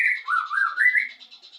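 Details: Isian song of a white-rumped shama (murai batu): one smooth, continuous warbling whistle that dips and then climbs gradually, with a faint high buzz underneath.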